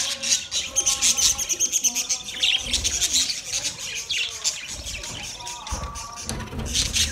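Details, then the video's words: Budgerigars eating soft food together, recorded 3 October 2023: dense, overlapping chirps and warbling chatter fill the clip, with quick high squeaks and a low steady hum beneath. "Budgies eating sounds"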